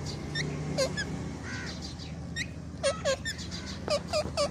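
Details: Green and white ringneck parrots call in short bursts: one or two sharp dipping squeaks, a brief nasal note, then a louder pair and a final run of three quick squeaks, with background hum.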